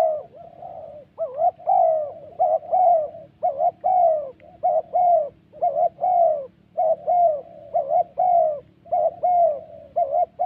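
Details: Spotted doves fighting in the wild Central Highlands of Vietnam, in decoy trapping; a long, dense series of throaty coos with sharp upward bends, repeated almost every second throughout, above a steady low drone.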